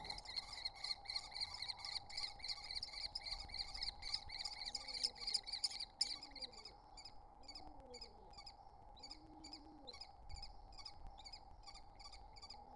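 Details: Three wild common kestrel nestlings at their nest entrance utter rapid, high chittering notes, loud at first then softer and sparser, while low cooing phrases rise and fall beneath a steady hum.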